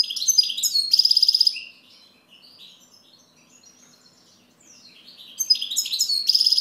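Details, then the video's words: Singing goldfinch: rapid twittering notes and a dry buzzy trill, a quiet stretch of soft scattered notes, then another energetic burst of chirps ending in the same buzzy trill. "Chant Chardonneret"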